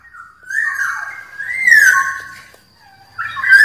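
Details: Black-naped oriole in the wild, song used to call rivals: long, mellow, slurred whistles rising and falling gently, a brief quiet spell, then another rising whistled note at the close.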